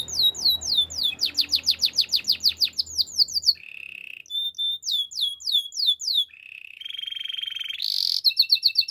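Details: Belgian canary singing in the morning: a fast run of high descending sweeps repeated several times a second, then a steady buzzy trill, whistled notes and a harsh rasping burst near the end.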